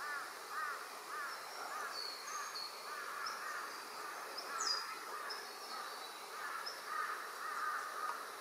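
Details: Rainbow lorikeets inspecting a possible nesting site at Doonan, Noosa Biosphere Reserve, chattering in harsh, overlapping screeches throughout, with thin high whistles from other birds above.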